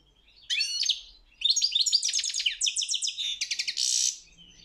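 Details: European goldfinch singing at a world championship song contest: after half a second of quiet, quick tinkling twitters and trilled notes run to the end, closing on a buzzy, harsh phrase.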